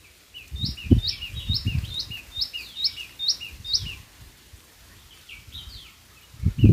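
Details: White-throated fantail at Guhagar in Kokan, India, giving a quick string of thin, high whistled notes that jump up and down, about three a second, then fainter notes, with low thumps and rumble underneath.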